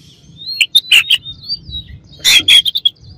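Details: Song of an Oriental magpie-robin aimed at stirring up a rival: thin drawn-out whistles broken by loud noisy chirps, ending in a dense burst of sharp notes.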